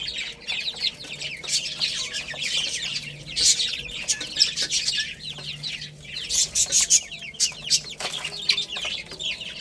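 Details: Group of baby chickens chirping as they play and eat. High, down-slurred peeps pour out in surges, loudest around the middle and near the end, over a faint low steady hum and occasional clicks.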